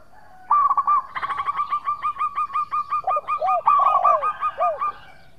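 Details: Local zebra dove in full song, used as a lure to provoke answering rivals; a long rapid series of bright repeated coo notes, steady and rolling, ending with several deeper downward-curving notes.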